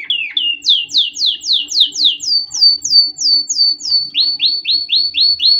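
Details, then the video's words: Canary singing for chick training: clear series of downward-sweeping whistled notes, about three per second, first higher, then a run at a steady pitch, then a lower set of swooping slurs. "Canary Singing - Most Spectacular HD Video Training For Chicks"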